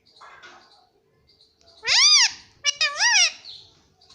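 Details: Pet rose-ringed parakeet talking, saying "mummy" and "papa": two loud, harsh, harmonic arched syllables after a faint, quieter opening note, in an indoor room.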